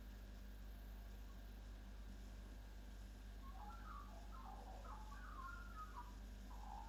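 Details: Local Australian magpie in Chelsea, Victoria, Australia, singing at a kitchen window with robot-like, R2-D2-style sounds: a burst of quick warbled, wavering whistles and chirps in the second half, over steady low indoor hum.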